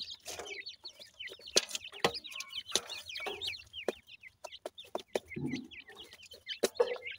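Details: Grey francolin (dakhni teetar) chicks feeding, bred birds: many high thin peeping notes, each quickly rising and falling, overlapping in a busy stream, with scattered clicks and scratching taps and a few lower clucks.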